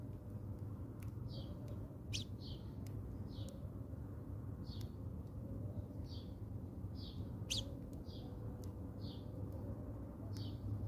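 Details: House sparrows at a feeder in South Africa, feeding on provided food: short bright chirps repeated roughly every half to one second, with sharp clicking taps and a steady low rumble of background hum.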